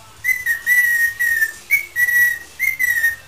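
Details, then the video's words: Pet parrot improvising a tune: a run of clear, steady whistled notes, some level and some gently falling, spaced in short even beats like a melody, with faint room noise behind. "in a fine singing mood"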